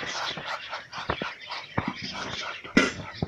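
A male Muscovy duck gives soft, breathy hissing puffs with a few sharp clicks over about three seconds; the room is otherwise quiet.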